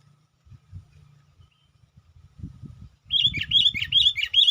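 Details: Sooty-headed bulbul calling as a lure for wild birds; low rustling and knocking noises, then a fast run of bright, repeated chirping notes in the final second and a half.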